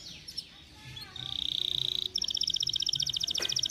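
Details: Canary song used as a lure for other canaries: faint notes at first, then a held buzzy tone and a fast, ringing pulsed trill of evenly repeated notes.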